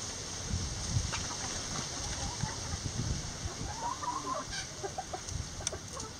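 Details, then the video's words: Backyard chickens relaxing in a coop, giving soft scattered clucks and short murmuring calls around a low rumbling, shuffling background with faint ticks and rustles. "Backyard Chicken Sounds"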